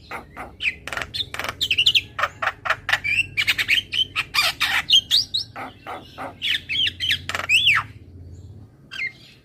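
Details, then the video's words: ['Javan myna singing on a recording meant to encourage caged birds to sing: a long run of rapid, harsh chattering notes laced with squeaky rising and falling whistles.'] "Suara Jalak Kebo Terapi Biar Semakin GACOR"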